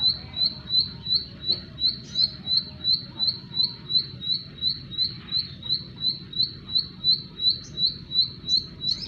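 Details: Bar-winged prinia song made of one high, clipped note repeated at an even, quick pace, close to three per second, with faint low rumble underneath.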